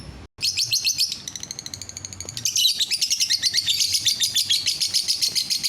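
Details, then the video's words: After a brief gap, a lovebird bursts into loud, rapid chattering song, a fast stream of high buzzy notes repeated about three or four per second, sung to draw other lovebirds into singing. "DENGAR SESAAT SAJA, bikin lovebird yang lain ikut bunyi"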